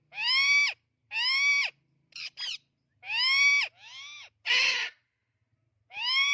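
Amazon parrot giving loud, harsh squawks with a rich nasal tone, each about half a second, mixed with a short falling cry and a raspy burst, repeated every second or so.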